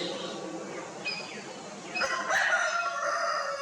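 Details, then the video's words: Rooster on an Indian poultry farm keeping Italian and desi chickens, establishing territory: quiet farmyard murmur with a faint squawk, then a strong crow bursts in halfway through and carries to the end. "Italian and desi murghis dust bathing, preening & crowing"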